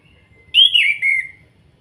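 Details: Kretekan call from an orange-headed thrush, a lure to make other birds sing: one strong whistled note sliding gently downward, breaking and resuming lower, lasting under a second.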